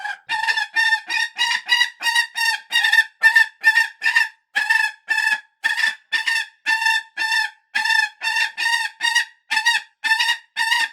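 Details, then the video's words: Falcon calling in a rapid, steady run of harsh, nasal notes, roughly two to three per second, continuing without a break for about eleven seconds. "Real falcon screeching sound"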